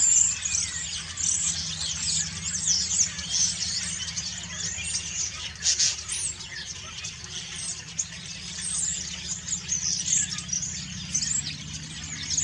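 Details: Common starlings singing their autumn song while preening, a busy mix of squeaky whistles, clicks and rattling chatter running throughout, over a faint low background hum.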